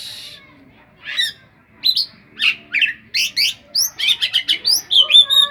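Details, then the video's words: Oriental magpie-robin singing isian-filled song likened to the cetdet bird. Scattered scratchy notes build into a rapid, accelerating series of sharp rising chips and whistled slurs. "Ful isian rasa burung cetdet"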